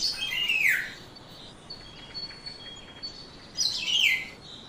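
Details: Black-naped oriole, a yellow bird, recorded on a phone or camera: a raspy nasal call sweeping downward at the start, then a matching second call about three seconds later over quiet background hiss.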